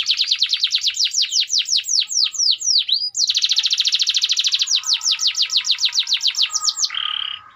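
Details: Canary (Kenari AF) singing gerek: long fast runs of falling whistled notes, a dense rapid trill, more whistled series, and a closing harsh buzz.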